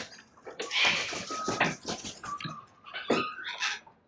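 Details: Several sulphur-crested cockatoos chewing a verandah in Belgrave South, Melbourne, Australia, on the morning of 29 May 2022: a continuous run of raucous, grating screeches, with a thin whistled tone and a final shriek before fading.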